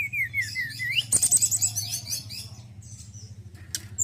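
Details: Male forktail with a reputedly good song: a few downslurred whistles, then a brief high rattling trill and faint scattered chirps, all over a constant low humming background.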